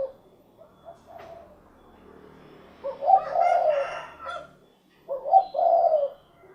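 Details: Spotted dove calling, known locally as derkuku or tekukur, rendered as cukurukuk kuk geruk: a faint low hum early, then two loud mellow cooing phrases near the end, each a short note running into a longer, slightly falling coo.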